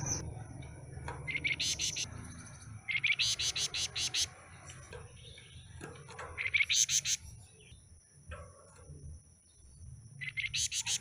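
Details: Caged scarlet minivet with a stubby tail, newly bought from a bulk batch, gives short bursts of rapid high chirps every two to three seconds, with quiet pauses and low background hum between them.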